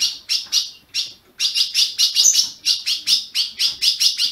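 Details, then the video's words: A few spaced chips from an Ultramarine grosbeak in Brazilian captivity, then a rapid, steady series of bright, high notes, about four per second, used to warm up a kept bird. "Azulão piando, 30 min. para esquentar seu azulão"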